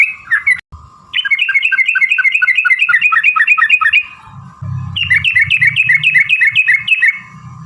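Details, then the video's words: Trucukan singing long rapid runs of bubbly notes, a lure to prompt other birds to sing along; two fast bursts separated by a short pause, with a low hum in the second half. "trucukan gacor TARUNG ROPEL PANJANG pancingan trucukan agar bunyi jadikan burung trucuk NYAUT gacor"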